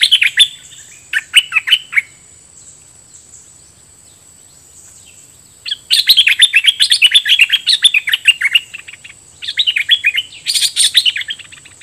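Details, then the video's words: Bulbul used as a decoy, singing at wild birds: short chirpy phrases, a pause, then a long run of fast bubbling warbled notes, with a constant high electronic-like hiss behind. "นกต่อ ร้อง&ริก!!!ใส่นกป่า merbah lekir gacor"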